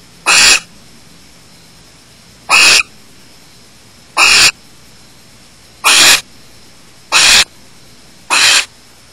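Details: Barn owl at a nest with chicks, Starr Ranch, June 30, 2010, 9:27 PM, as the male leaves after mating, probably after delivering prey, stepping on the chicks: six harsh, rasping, hissing screeches at uneven gaps of about 1.5–2 seconds, against a quiet background.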